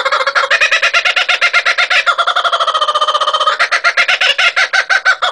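A kookaburra laughs: a loud, rapid run of harsh chuckling notes, several each second, that swells into a sustained cackle midway and then resumes its rolling pace.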